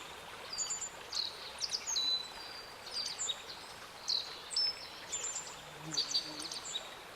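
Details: Black-faced bunting singing: short phrases of high, thin whistles and sharp chips, delivered in bursts about every second, with a faint steady rushing background.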